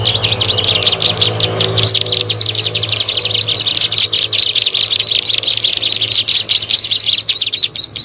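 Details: Plain prinia, locally ciblek sawah, heard in a bird-luring recording: sharp, high chirps repeated fast and steadily, blending into a continuous buzzy twitter, with faint low hum early on.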